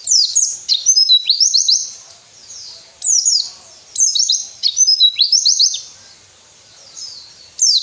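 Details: Captive white-eye training song for birds that are lazy to sing: quick high phrases of falling slurs and trills in bursts about a second apart, then a pause and a final burst.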